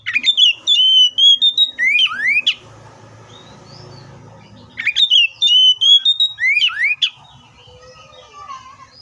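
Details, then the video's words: Oriental magpie-robin singing two bright phrases of rising whistles and a held note, with a low murmur of background noise in the gap between them. "THE BIRD COPSYCHUS SAUCARIS VOICES MUCH LONG LIKE IN NATURE!"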